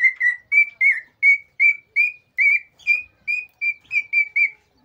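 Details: Excited song of a male cockatiel, used to encourage pairs to mate. About fourteen clear, even whistled notes repeat at a steady pace, each a short flat or slightly bending tone.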